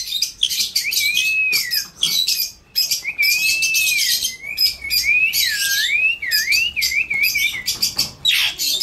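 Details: Indian ringneck parrot producing a long, wavering whistle that rises and falls several times, interrupted by raspy screechy bursts and light clicking sounds.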